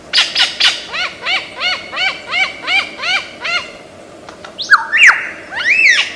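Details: An Australian lyrebird copying other sounds: about ten evenly spaced arched, harmonic-rich notes roughly three per second, a short gap, then loud swooping whistles rising and falling.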